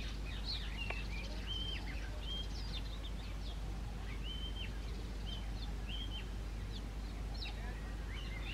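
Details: Male Oriental magpie-robin whistling and chattering to communicate with others of its kind: short flat whistles with abrupt rising and falling ends, mixed with quick sharp upswept chirps, over a steady low rumbling background noise.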